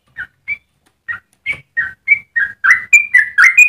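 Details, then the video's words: Yellow-vented bulbul starting its melodious song with spaced, mellow liquid notes that come faster and louder until a quick bubbling run closes the phrase. "Trucukan gacor ropel panjang cengkok termerdu untuk pancingan dan masteran"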